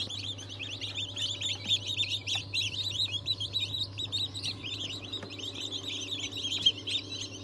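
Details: Fresh hatch of chicks, 22 January 2023, breeds such as Ayam Cemani, Sultan, Cochin and Wyandotte; crowded, rapid, high peeping with overlapping rising-falling notes, a steady hum beneath.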